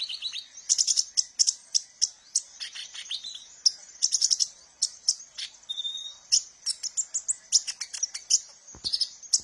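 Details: Sunbird known as kolibri ninja, a recording meant for luring and training young cage birds: a long, busy run of very high, sharp, staccato chirps and twittering notes, delivered in fast clusters with one short whistled note.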